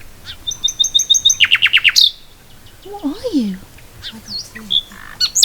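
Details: Common nightingale, a long-tailed bird singing at an old bottle dump in mossy countryside: a quick run of high, evenly spaced notes, then a fast series of sharp downward strokes, followed by a woman speaking over softer scattered chirps.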